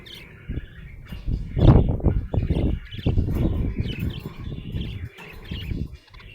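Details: Happy budgerigar chirping: a steady run of short, bright warbled chirps over about six seconds. Loud, low thumping and rumbling noises run beneath the calls throughout.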